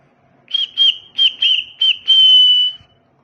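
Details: Tame white-faced cockatiel whistles a run of clear, clipped notes that ends in one long, steady whistle.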